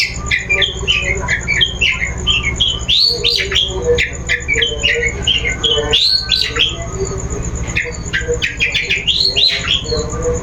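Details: Long-tailed shrike lure song played to coax another bird into singing: a continuous, busy jumble of harsh squawks, chatters and quick rising and falling whistles, with hardly any pause over ten seconds.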